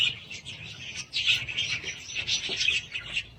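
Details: Steady budgerigar warbling made of quick, scratchy chirps and soft twittering. A fainter, low rumble sits beneath the birds.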